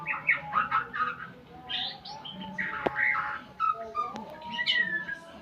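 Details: White-rumped shama in a sound-learning session with full tutor playback: jumbled chirps and short whistles, a loud sharp click near the middle, and a rising whistled phrase toward the end, over a faint steady hum.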